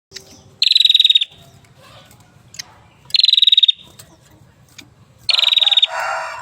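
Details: Hill prinia in an aviary singing loudly and persistently: bright, rapid trilled phrases of evenly spaced high notes, each about half a second long, repeated every two to three seconds over a low background hum.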